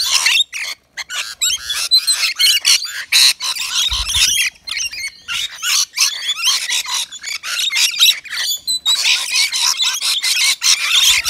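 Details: Rainbow lorikeets, native Australian birds, at a balcony nectar feeder serving lori wet mix; a dense, continuous chorus of harsh, shrill squawks and screeches from several birds, almost without pause.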